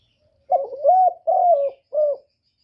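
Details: A spotted dove's full coo phrase, clean and loud: a broken lead-in note, two sustained mellow coos, then a brief closing note.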